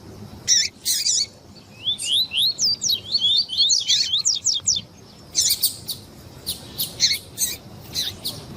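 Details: Double-collared seedeater song with female calls, played to excite a male: high, thin chirps and a fast series of rising sweeping notes, then sharp clipped calls at an uneven pace, over soft background hiss.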